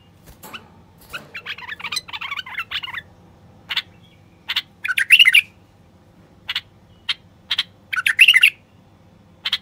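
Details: Common bulbul song meant to rouse quiet wild bulbuls into singing and mating: scratchy chattering notes, then sharp single chips and two short fluty warbled bursts, spaced irregularly over about ten seconds.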